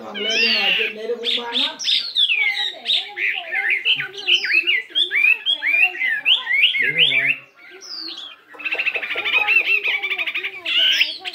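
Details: Morning voice practice by a 72-gram fighting Chinese hwamei, shifting its voice in a long, varied run of slurred whistles, swoops and rich warbles, with a brief pause near the end before the song resumes.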